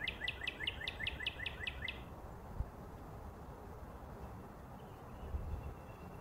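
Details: Northern cardinal gives a quick run of about eight repeated slurred chirps over two seconds. The notes are fairly faint against steady outdoor background noise.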